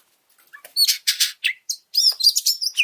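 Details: Oriental magpie-robin song used to provoke other birds: after a quiet start, a string of loud harsh rasping notes and sharp chirps, then a bright whistled phrase with quick trills.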